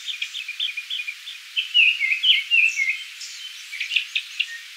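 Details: Song of a Japanese thrush recorded at Kiyokawa Village, with rapid fluty whistles and slurred, down-sliding notes, then a brighter cluster of sharp high chips near the end, over quiet background.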